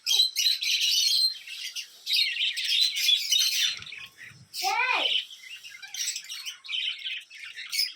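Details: Small Budgerigars in sunshine chatter continuously in high, scratchy chirps and warbles with quick downslurred notes; a person speaks softly in the background; December 13, 2022.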